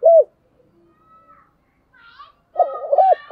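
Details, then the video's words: Decoy spotted dove cooing. A single short coo opens, then soft scattered sounds, then a hoarse run of wavering low coos near the end. "Chim Cu Mồi thúc gù sung"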